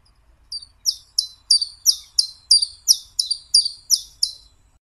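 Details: Common Chiffchaff (Phylloscopus collybita) sings a steady run of about a dozen high, sweet chip notes, three per second, alternating slightly up and down, chiff-chaff-chiff-chaff; otherwise quiet.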